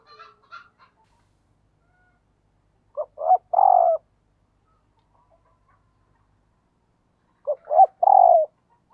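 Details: 'Thúc gù' coo of a decoy spotted dove: two phrases about five seconds apart, each two quick soft notes followed by a long, rough, low hoot, after some faint twittering at the start.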